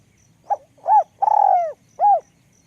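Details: One spotted dove calling with a small, high voice in the 'luk kok' style, a four-part coo: a clipped note, an arched coo, a long rough coo sliding down, then a final arched coo, with faint ticking behind.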